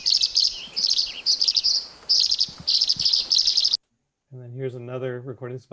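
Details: Tree Swallow giving quick high twittering chirps in tight groups, repeated steadily for nearly four seconds, then a short silence and a man talking.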